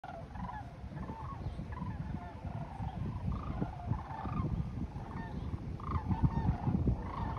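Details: Sandhill cranes heading south for winter, filmed 19 January 2024, giving loud gawking calls: faint rolling, trumpeting notes come in scattered bursts over a strong, constant low rumble of wind or engine noise.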